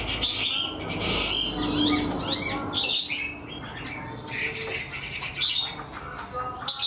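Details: Caged Chinese hwamei, an untrained bird singing in a structured way like a tame one, gives bright whistled phrases and rising slurred notes, partly masked by steady low background rumble.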